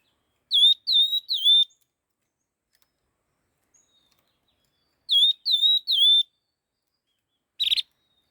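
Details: Red-tailed laughingthrush in fast stimulating song: a triplet of sharp falling whistles, a pause of over three seconds, the same triplet repeated, then a short harsh burst.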